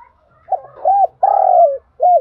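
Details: Single spotted dove cooing phrase meant to set other doves cooing: a quiet intro note, a short arched coo, a long steady coo sliding downward, and a brief final hooked note.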